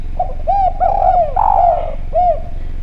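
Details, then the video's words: Spotted dove in full clear voice for luring: a short soft note, several arched coos, a long dropping coo, then one more arched coo; low steady hum behind. "Derkuku Djawa Gacor Suara Bening, Spesial Suara Pancingan"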